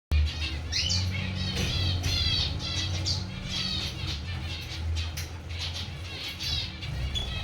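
Zebra finches give short, nasal, toy-trumpet beeps in a busy, overlapping chorus.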